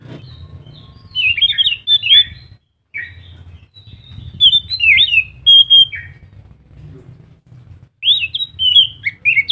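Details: A scaly thrush sings lively bright, warbled phrases, each a quick tumble of whistled notes separated by short pauses, played to prompt other thrushes to sing along.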